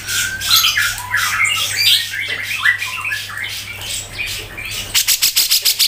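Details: Tutor song of a Grey-cheeked bulbul (cucak jenggot) for training songbirds: dense harsh, squawky chatter with fast slurred notes, ending in a rapid burst of sharp rattling pulses.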